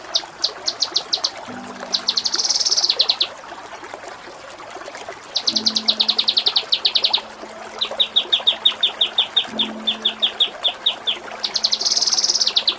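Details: Kinoi song meant for training contest birds, rough isian kasar and ngepik style: bursts of rapid buzzy rattles alternating with runs of sharp, evenly spaced chirps, separated by short quiet gaps, with a low steady hum beneath.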